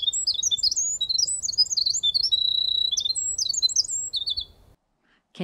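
Winter Wren song: a long, rapid, high tumbling stream of bright trills and warbled notes, lasting over four seconds before stopping; a faint low rumble underneath.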